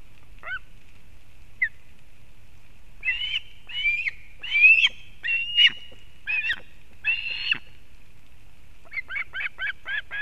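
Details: Osprey at a nest in Kurzeme, Latvia, 31 August 2024, as the female brings fish to the chick: scattered chirps, then drawn-out slurred whistled calls, ending in a quick series of five short chirps.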